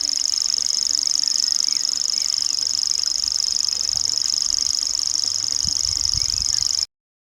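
A common grasshopper warbler reels without a break, a high, dry, insect-like trill held steady for about seven seconds, with a faint low rumble beneath.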